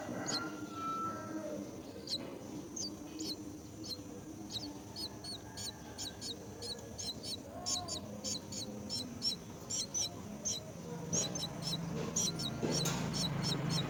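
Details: Myna caring for young at the nest; long run of high, squeaky chirps repeated more than once a second, irregular in spacing, over low background rumble that swells near the end.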